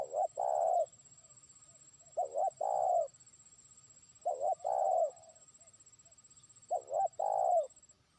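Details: Trained spotted dove, a lure bird, calling to a distant rival: four low cooing phrases, each two short clipped notes and then a longer drawn-out coo, repeated about every two to two and a half seconds in a quiet setting.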